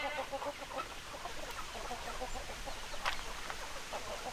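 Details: Chickens give soft, rapid clucks that run steadily through the clip, muffled by low rumbling background noise.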